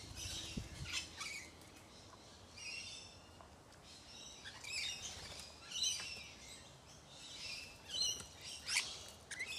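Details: Several lorikeets eating sunflower seeds give harsh, high screechy chirps in short irregular overlapping bursts, with light rustling and pattering between calls.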